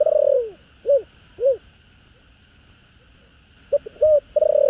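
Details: Spotted dove giving thổ đồng style coos to call females, intended to attract wild doves. A falling drawn-out coo and two round coos end one phrase, then a new phrase opens with clipped stuttering notes and another long coo, over steady hum.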